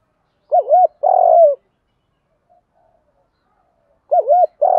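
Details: Spotted dove kept as a lure bird, coo-calling to draw wild doves: a wavering double hoot and a longer falling coo, a silent gap, then the same wavering phrase starting again.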